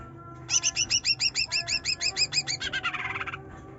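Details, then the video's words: Greater green leafbird song meant to stir a quiet bird to sing: a rapid string of about twenty sharp, high, upswept chip notes, speeding into a buzzy trill, with a steady low background hum. "Cucak Ijo Trotol Gacor Nyerecet Nembak || Pancingan Cucak Ijo Malas Bunyi"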